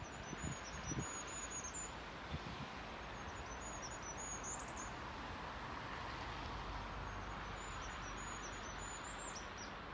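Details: Goldcrest in early spring (10 March 2022), among the first songs of the year, along a footpath at Haga, singing very high, thin, rhythmic phrases every three to four seconds, each ending in a quick flourish, over steady broadband noise.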